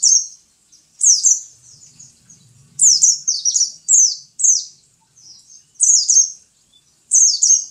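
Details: A kept pleci, or white-eye, repeats bright, very high, jumbled twittering phrases every second or two, each a cluster of quick falling notes, with a faint low murmur in the background.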